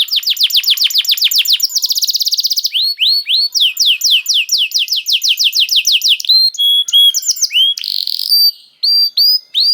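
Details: Bait song of a canary meant to get other canaries singing fast: rolling series of descending notes, a dense buzzing trill, more swept whistle runs, then scattered high chirps and short buzzy bursts.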